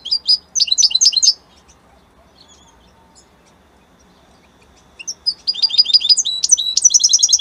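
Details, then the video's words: European goldfinch from Italy gives a short burst of quick, high chirping notes, falls silent for several seconds, then resumes with a rising stream of rapid twittering trills. "من أقوى تغاريد طائر الحسون الجميلة الحسون ايطاليا"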